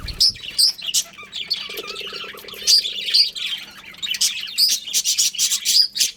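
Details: Breeding pair of budgerigars: clear high chirps and squeaky whistles, a low buzzy rattling note in the middle, then a quick run of sharp chirps near the end over a faint hum.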